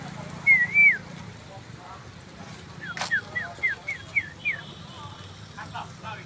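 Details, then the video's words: Female Asian koel calling: a shrill, falling whistled note, then a rapid series of about seven short, downslurred, piping notes repeated roughly three times a second. A sharp click interrupts the series, and a low background hum runs underneath. "MADA KOYAL (FEMALE CUCKOO)"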